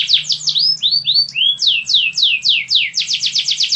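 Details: Canary song that shifts between tours. Fast sweeping notes lead into slower rising whistles, then evenly paced falling syllables, and ends in a rapid, tight rattle-like roll.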